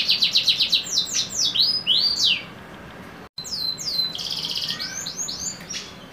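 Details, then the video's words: Kenari canary of the trah YS X SF line in song, rolling quick repeated trills into looping slurred whistles, a brief break, then a sustained buzzy rattle and more swooping high notes. "KENARI TRAH YS X SF MEWAH"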